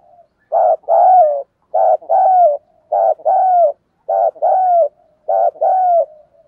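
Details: Spotted dove kept as a decoy to provoke males into cooing, repeating a steady two-part coo about every 1.2 seconds, a short low note then a longer mellow one sliding down, five times in a row.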